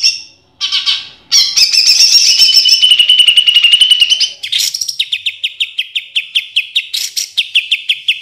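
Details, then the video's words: Training song of a greater green leafbird (cucak ijo), packed with judge-pleasing 'tembakan' fills: varied high chirps and a buzzy, sliding trill, then a run of sharp whistled notes repeated quickly and evenly. "Masteran Cucak Ijo Full Isian Tembakan Kesukaan Juri"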